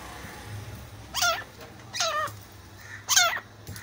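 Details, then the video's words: Francolin, grey or black partridge as named, giving three loud harsh descending calls about a second apart, each a rapid burst of stacked notes, over a quiet background with faint low hum. "gora teetar grey francoline black francoline partridge jungle mein teetar Ki awaaz"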